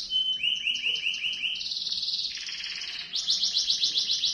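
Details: Canary singing long rolls to teach young canaries: rapid high trilled phrases that shift pitch several times, each a fast repeated series of sweeping notes, over steady low background hiss.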